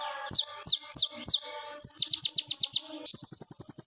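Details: Loud plain flowerpecker 'AK47 burst' song, used to train other birds: four spaced, steeply falling high zips, then a fast even rattle of about eight ticks and a final quicker tick run, over faint lower tones.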